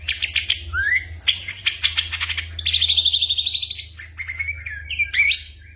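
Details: Ashy drongo mimicking other birds and sounds as tutor material for songbirds in moult: rapid clicks and a rising slur, a rhythmic buzzy series, then lower fluted whistles and twisting notes.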